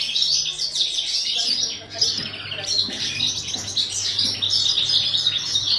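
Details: European goldfinch kept for breeding, singing a continuous run of rapid, tinkling twitters and chirps pitched high, over a faint low hum.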